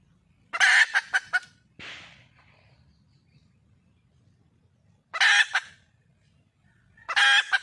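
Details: Wild junglefowl hen calling for a male: two loud, harsh, squawking bursts with short clucks, a softer breathy note, then a quiet pause before more raucous squawks near five and seven seconds.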